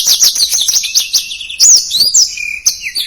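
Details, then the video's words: Blackthroat delivering fast, packed song for tutoring caged songbirds: a rapid stuttering series of high notes followed by a few clear, drawn-out rising and falling whistles. "Suara Blackthroat Gacor Speed Rapat | Masteran Blackthroat Durasi Panjang"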